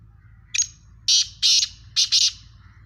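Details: Black francolin, known locally as Sindhi or Kala teetar, giving a harsh, grating call: one short high note, then three loud rasping bursts in quick succession, the last two paired, over faint low hum.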